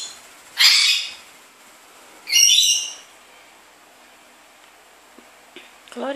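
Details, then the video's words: Pet rainbow lorikeet waking its owner in the morning, squawking and flying around: two loud, harsh, broadband screeches about a second and a half apart, then quiet with faint soft sounds near the end. "rainbow lorikeet is our alarm clock"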